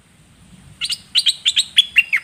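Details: Red-whiskered bulbul song, a lively run of roughly eight sharp, high chirps in pairs and short falling slurs, rapid and slightly irregular, with little else audible.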